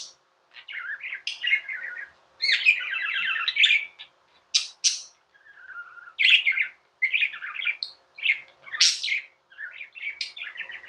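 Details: Tame budgies chirp and chatter in lively bursts, rattling buzzy trills alternating with shrill squeaks and a soft mellow warble near the middle.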